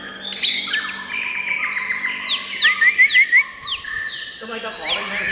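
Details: White-rumped shama song made of varied whistled phrases: rapid upward-flicked notes, a quick run of four short looping whistles in the middle, then longer descending slurs, with faint background murmur.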